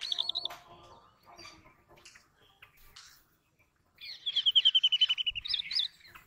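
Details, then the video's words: Brown rock chat, also called Indian chat, beginning with a short trilled phrase, then scattered soft notes, then a fast, even series of bright chirps repeated about four times a second, ending in a few higher notes. "Brown Rock Chat Sound"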